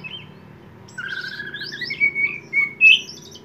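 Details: Kacer poci, an oriental magpie-robin, in energetic 'gacor on konslet' song: a long low whistle, then several rising and falling piercing whistled phrases, ending on a loud sharp note, with a faint hum underneath.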